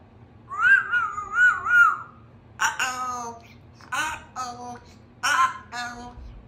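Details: Young female Congo African Grey parrot, a pet hatched June 2021, practising words with apple as her word of the week: a wavering whistled phrase, then three harsh, speech-like bursts spaced about a second apart, indoors.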